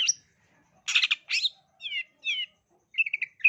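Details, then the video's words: Long-tailed shrike singing briskly, used as a lure to prompt young shrikes into song: a high squeaky note, then buzzy rasping bursts and slurred whistled phrases, ending in a quick chattering run. "Pancingan Burung Cendet Gacor Dor Terbukti Ampuh dan Gacor Pencetak Pentet Calon Juara"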